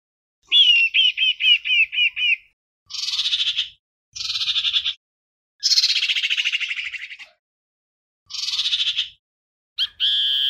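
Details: Common iora; song; calling the flock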